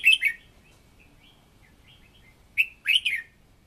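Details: Fiery voice-training song of a red-whiskered bulbul decoy bird. A brief warbled phrase is followed by a pause with faint soft notes, then another bright three-note burst.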